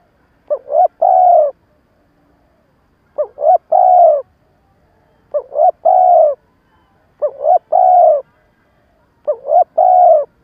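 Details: Spotted dove used as a trapping lure, stammering cooing call intended to draw wild birds quickly; five evenly spaced phrases, each a pair of short rising notes followed by a longer soft coo, roughly every two seconds.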